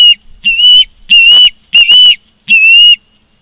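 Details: Ospreys at a nest cam in Charlo, Montana, on 16 September 2023 at 16:05: four drawn-out, high whistled calls, each slightly down-slurred, spaced under a second apart, with faint low thumps between them.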